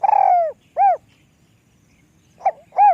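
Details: A spotted dove, said to be small-voiced, ends one phrase with a long falling burred coo and a rounded coo, then after a gap of over a second begins again with a short note and an arched coo.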